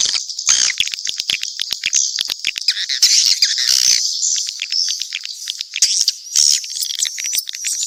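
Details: Swiftlets in a mixed group, keeping up a continuous high twittering and squeaky chatter with fast clicking pulses throughout.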